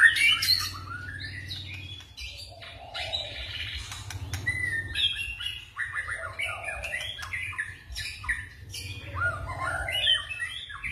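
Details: White-rumped shama singing forest style, with repeated bursts of varied, fast whistled and chattering phrases over a persistent low mechanical hum.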